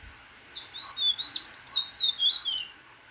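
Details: Cage-bred Trinidad bullfinch, nearly finished moulting, recorded indoors in September 2024, singing a fast, high, thin warble of rapidly slurred whistled notes, downslurred and trilled, lasting about two seconds.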